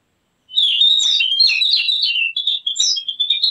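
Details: Javan grey-throated white-eye, recorded as a luring and training sound for birds, giving a rapid, continuous high twittering warble with slurred whistled notes, varied and unbroken for about three seconds.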